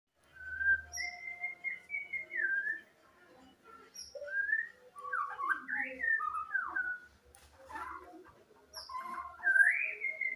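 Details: White-rumped shama with an odd voice said to sound like a chicken: quiet, scattered whistled notes and slurred mid-pitched phrases with brief higher pips, separated by pauses, alongside faint low thumps.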